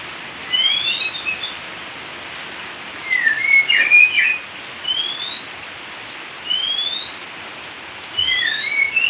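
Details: Oriental magpie-robin, a pair bathing in the rain: clear, rising whistled notes and short warbled phrases, given in bursts every two seconds or so over a steady hiss of rain.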